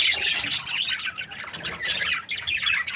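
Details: Budgerigars in breeding pairs give bright, high, rapid chirps and squeaky warbles in quick overlapping bursts.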